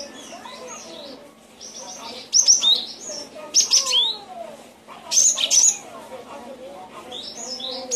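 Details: Cinereous tit song used as a training recording for cage birds. Loud, sharp high chirps come in short clustered bursts at irregular intervals. Softer, lower slurred whistles and chatter run underneath throughout.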